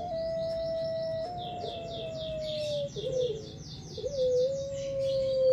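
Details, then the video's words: Puter pelung turtle dove cooing in the ngelik style: a drawn-out pure whistled tone that sags slightly, a brief wavering dip, then another sustained note, over a band of rhythmic high chirping from other birds. "puter pelung suara ngelik"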